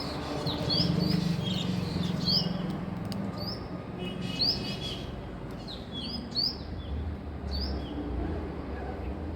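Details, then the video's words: Female Asian koel in the morning: short, sharp, upslurred high notes, some in quick runs and some singly at uneven intervals, over a steady low hum and light background noise. "Female Koel"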